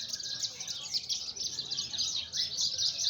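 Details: Javan bush lark song recorded in Sumedang, West Java, Indonesia: rapid, continuous high-pitched twittering and trilling with no pauses, over a soft low background rumble.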